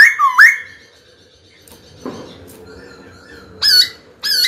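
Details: White-cheeked laughingthrush, a caged songbird, singing to provoke a rival into fighting: loud clear whistled notes dipping and rising, a pause with faint background, then two sharp upslurred whistles near the end.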